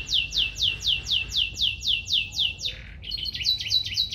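A canary sings a fast, even run of bright, high downslurred notes, about four each second, then breaks into a rapid twittering trill.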